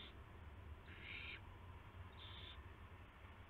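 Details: Owl nest on the night of March 19, 2016, with prey brought to the owlets. Two clear rasping hiss bursts, the first stronger, plus a clipped one at the start, over a steady low hum.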